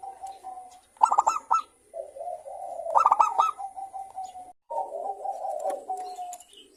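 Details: Morning song of local zebra doves, lively manggung style: two sharp bursts of rapid ringing coos two seconds apart over near-continuous lower, buzzy cooing from other doves, with a steady faint high whine in the background.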